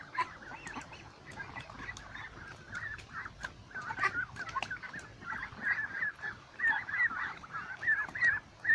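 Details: Flock of ducks beside a lake, a steady chorus of overlapping nasal honking calls, irregular and dense, louder in the second half with clustered bursts from several birds at once.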